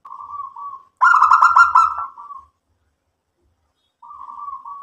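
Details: Perkutut, a local zebra dove, in song: a soft buzzy hum, a loud rolling burst of rapid coo pulses with a trailing murmur, silence, then another soft sustained hum beginning.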